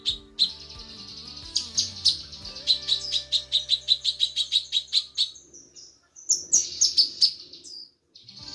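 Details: Female cucak kinoi calling to the male, used as a tutor recording: bright, rapid chirps repeated in quick series, with a short pause and then higher, sharper notes. A steady low, music-like drone runs underneath.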